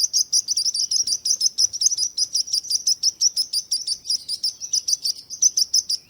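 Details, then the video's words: Dense, rapid chirping from birds, high thin tweets tumbling over one another at around three per second, overlapping so the chatter seems continuous and busy. "Bird Sounds"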